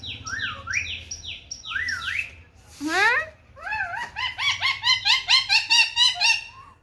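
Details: Indian ringneck parakeet in a happy mood, out in the sun: repeated high falling whistled notes, a rising swoop, then a rapid, evenly pulsed run of short chirpy speech-like syllables.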